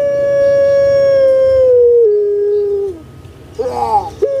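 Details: Puter pelung collared dove kept in Java giving a long drawn coo, nearly three seconds, sliding slowly lower in stages, then a pause and a short wavering rising note.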